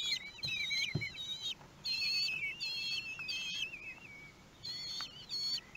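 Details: Common kestrels at the nest in Théding, France, on 2 June 2020, feeding time with a very large prey, caught by webcam: bursts of high, wavering whistled calls, rising and falling, broken by short pauses.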